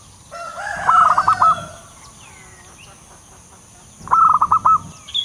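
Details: A wild zebra dove, used as a lure call, gives two bursts of rapid, rolling staccato coos about three seconds apart over a faint, steady background hiss.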